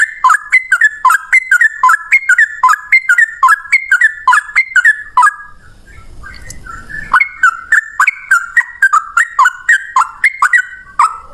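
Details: Yellow-vented bulbul pouring out a long single-breath ropel song with cucak rowo loudness: rapid dipping whistled phrases repeated over and over, a short lull with a low rumble, then the same phrases resume.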